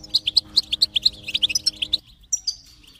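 European goldfinch song: a rapid run of bright, tinkling twitters, about six notes a second, ending in a thin high trill.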